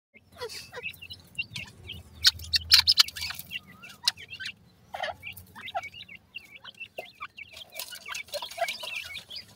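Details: Francolin chicks feeding and playing in the evening: short high chirps and peeps from several chicks, with frequent sharp clicks and clattering throughout.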